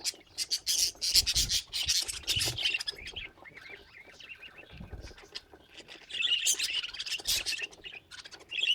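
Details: Pet budgerigars chattering: dense bursts of high, scratchy chirps and warbles, loud from the start, quieter in the middle, rising again near the end, with low thumps beneath.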